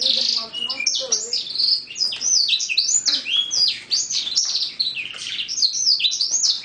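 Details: Six-month-old male canary, a lizard x roller crossbreed, song now becoming clear though mixed with various picked-up sounds; dense, unbroken rolling warble of quick high sweeping notes, rich and continuous throughout.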